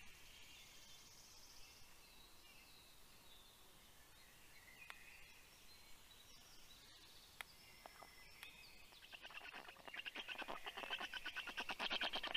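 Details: Black stork chicks growling at the nest as a parent returns with fish, 11 June 2022 at 9:56 in the morning; a quiet background gives way after about nine seconds to loud, harsh, rapidly pulsed rasping that builds to the end.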